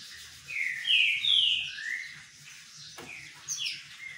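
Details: Green-winged saltator singing while sunbathing: loud, slurred whistled notes sliding downward in a short phrase, then softer whistles after a pause, with a faint low hum underneath.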